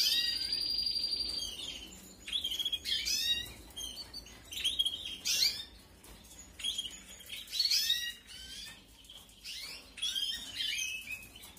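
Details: Canary chicks being fed during the 2021 breeding season: bursts of high, thin, buzzy chirps in quick clusters, then pauses of a second or two, with a steady whistled tone at the start.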